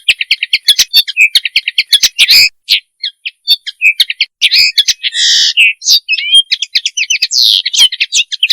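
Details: Common linnet mating call, offered for teaching and hunting: a busy, fast twitter of short chirps, buzzy trills and sharp squeaky notes, almost nonstop with brief gaps.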